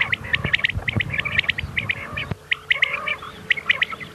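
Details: Common quail giving quick bursts of short, high, clipped notes, two to four at a time, repeated in a dense chatter over a low background hum; a night call used for quail hunting in Pakistan.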